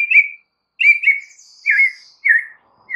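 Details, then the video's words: White-rumped shama lure song, meant to make other shamas answer: clear whistled notes in short bursts roughly every three-quarters of a second, each slurring slightly downward, with a faint higher thin note drawn out between. "PANCINGAN murai Batu"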